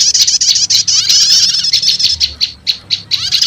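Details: Lure recording for prinia (prenjak lumut) combined with prenjak setater calls, meant to quickly draw in wild birds: high, buzzy chattering trills, then a run of sharp separate chips about four per second, then chatter again.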